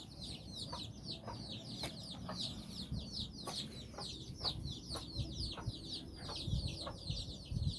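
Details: Chicken brood of nine with their mother out exploring in Bizkaia, Basque Country; busy high peeping in short downward strokes, frequent clicks and knocks underneath, and some low thumps and rustling near the end.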